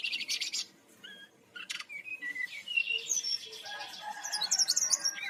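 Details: Lure song of a brown-chested jungle flycatcher from Bali, played to get birds singing: quick high buzzy trill bursts, then short clear whistles and a long jumble of rapid twittering notes.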